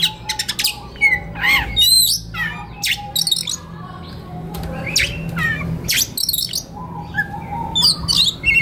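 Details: White-rumped shama singing in a relaxed then excited style, kept as a master recording for training young forest birds: rapid, varied phrases of sharp chirps, squawky notes and whistled slurs, with a low steady hum beneath.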